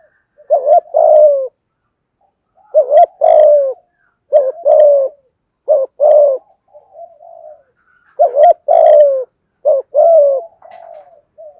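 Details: Repeated cooing of a spotted dove in the 'giọng hạp bổi' style, meant to get other doves calling: rhythmic pairs of short and long mellow coos with soft trailing notes, and faint higher chirps now and then.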